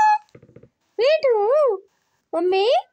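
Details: Talking green ringneck parrot saying words such as papa and mummy; two loud, wavy, harmonic word-like sounds under a second long, preceded by a quick soft rattle of clicks, in a small indoor room.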